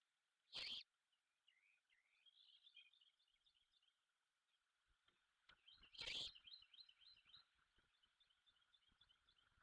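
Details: A young great horned owl at a Savannah nest, after feeding itself and swallowing a big bird, gives two short, harsh, hissing screeches about five seconds apart over soft twittering from small birds and a steady insect-like drone.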